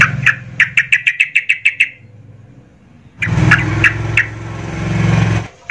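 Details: Yellow-vented bulbul in agitated song aimed at provoking other bulbuls: a quick series of about ten sharp repeated notes, then a loud stretch of low rumbling noise with a few faint notes.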